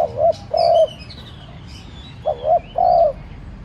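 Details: Spotted dove kept as a decoy, cooing to entice wild doves to answer: two phrases, each a brief wavering double note then a longer steady coo, with faint distant chirps.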